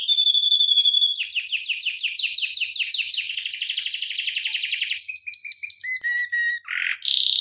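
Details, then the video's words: Fast, tightly rolling canary song for tutoring or stirring other canaries: a steady whistle opens into descending stroked notes repeated about three per second, then a dense trill and scattered high notes. "Kenari Masteran Suara Gacor Ngeroll Panjang Untuk Pancingan Maupun Masteran"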